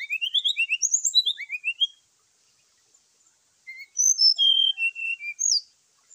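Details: Fighting call of a brown-chested jungle flycatcher in the morning, used to excite other birds: a rapid rising series of short whistles, a pause, then a phrase of clear notes falling in pitch.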